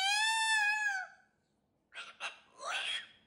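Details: Pet cockatoo indoors greeting with hellos while waving its wings: one sustained, richly harmonic tone for about a second, then a pause and a few short, rough squawks.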